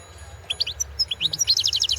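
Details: European goldfinch recorded for the 2016 World Championship in Goldfinch Song, a competition entry: brief bursts of high, tinkling twittered notes building into a rapid run of bright chirps near the end, with a low steady hum underneath.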